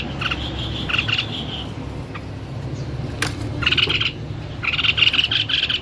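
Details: White-necked babbler singing: clusters of bright whistled notes, a sharp click, then rapid chattering note bursts toward the end over a low steady hum.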